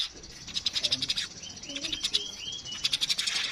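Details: Streaked weaver, known locally as manyar kepala kuning, giving rapid high chips in bursts with a few short sliding whistles in between, the chatter repeated several times a second.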